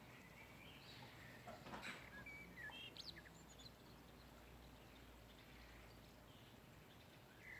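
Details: Morning birds chirping in a backyard beside a blooming apple tree with pink blossoms; short scattered high chirps and a few brief whistled notes over steady low background hum.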